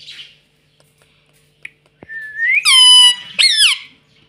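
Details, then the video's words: Ring-necked pet parrot that talks, producing two loud, drawn-out, buzzy vocal notes, the first rising then held steady and the second sliding downward, after a faint tap and near silence. "Bolne wala tota || talking parrot || mummy bolne wala tota"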